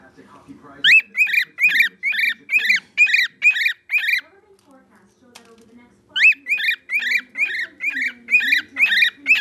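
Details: Indoor pet bird calling for attention with a rapid train of bright, piercing whistled notes, roughly two per second. A quiet gap with a low background hum splits two long bursts.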